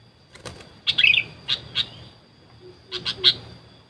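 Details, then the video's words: Sooty-headed bulbul sounds used to lure wild birds that paid no attention: a run of sharp high chirps and a brief bubbly flourish, then a pause, then another group of three quick chirps. "Pikat burung kutilang"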